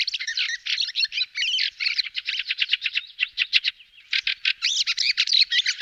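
Fieldfare giving harsh, rattling chatter in rapid bursts of squeaky, scratchy notes, several per second, with a brief pause midway; no other sounds.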